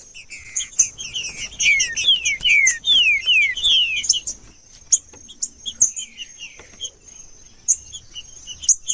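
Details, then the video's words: Green-winged saltator (trinca-ferro) song used to stimulate captive birds: a quick run of about six clear, falling whistled slurs in four seconds, over steady high, thin chips from other birds. "Trinca-ferro Macheando com Trinca ferro cantando Para Esquentar Trinca ferro"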